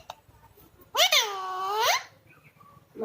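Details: Pet Alexandrine parakeet talking indoors; one drawn-out, nasal word arching up and down for about a second, surrounded by near silence and a faint click.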